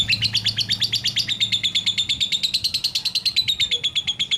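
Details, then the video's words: Lovebird chattering in a fast, continuous trill of high piping notes, very evenly repeated, slightly falling in pitch and then steady. "BURUNG LOVEBRID BERKICAU | AUTO NGAMUK"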